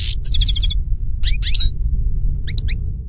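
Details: European goldfinch in nature: a short twittered phrase of quick tinkling notes, then scattered chirps and a few paired high notes, over a steady low rumble.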